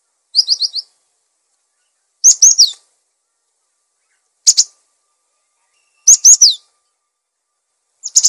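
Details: Cinereous tit in lively song, used as a master recording to teach and attract other birds; short phrases of rapid, high, slurred chirps, about five bursts spaced irregularly roughly every two seconds, otherwise silent.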